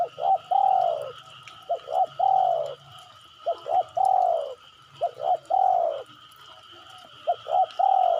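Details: Spotted dove call for luring birds into calling back: a repeated pattern of two brief coos and a long falling coo, about five phrases in quick succession, with a continuous faint electronic tone underneath.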